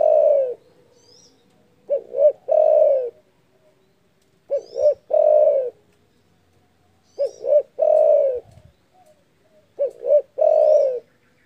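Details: Spotted dove with a big voice that angers rivals: four phrases of a quick double coo followed by a long, rich, falling coo, separated by quiet gaps; faint high chirps from small birds.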